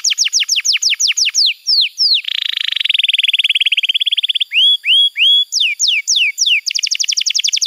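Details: Varied canary song used to train young canaries and trigger singing: runs of rapid falling notes, a long buzzy trill, then level whistles and downward sweeps, closing with another quick repeated series.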